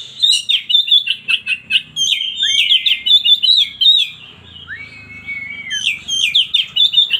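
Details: Oriental magpie-robin, known locally as kacer, singing a rich, varied song of quick chirps and twittering phrases around 3-4k, broken by a clear drawn-out whistle midway, then fast chattering notes resume.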